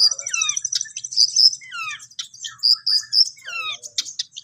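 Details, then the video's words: Long-tailed shrike practising song, a lively jumble of high whistles, downslurred notes and short buzzy trills in quick bursts with brief pauses, clear against a quiet background. "BELAJAR MAEN, BURUNG CENDET"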